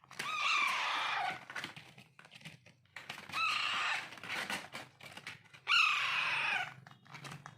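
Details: During hand-feeding, Alexandrine parakeet chicks utter three harsh, rasping begging calls, each about a second long with a downward slur, repeated roughly every two and a half seconds amid clicks.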